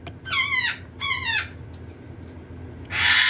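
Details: Hand-fed red-sided eclectus chick gives two whining, downward-sliding nasal cries about half a second apart. After a pause a harsh, hissing screech begins, over a low indoor hum.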